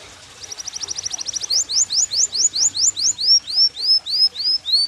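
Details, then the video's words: Yellow canary singing a high, fast trill of rapid repeated notes, then a run of upward-sweeping whistled slurs, then a slower series of bright downslurred notes, about four per second, over faint low background hum. "CANARY YELLOW CANARIO FIGHTER"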